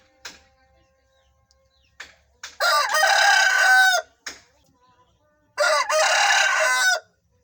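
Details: Aseel rooster crowing twice, each a loud, hoarse, strained crow about one and a half seconds long, with short clucks and sharp noises between them.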